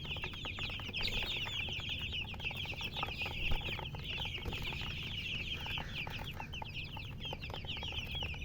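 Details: Baby chicken chicks chirping as a group: a dense, continuous stream of high, short peeping notes overlapping without pause, over a steady low background hum.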